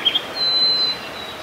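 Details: Harris's sparrow singing at Grant Park, South Milwaukee, Wisconsin, on 14 May 2016: a pure, sustained high whistle on one pitch, preceded by two brief chirps, over a soft hiss.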